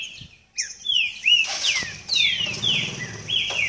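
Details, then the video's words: Green-winged saltator warming up its song: a series of clear whistled notes, mostly sliding downward, delivered in quick succession after a brief pause, with a soft low hum in the background. "Trinca Ferro em Aquecimento."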